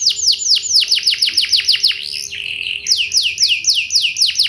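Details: Canary singing to coax other canaries into answering, rapid downslurred whistles repeated about four per second, a short buzzy slide, then another run of falling whistles.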